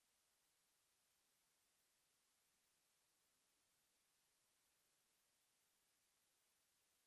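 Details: Only very quiet, even hiss is present, with no animal calls at all.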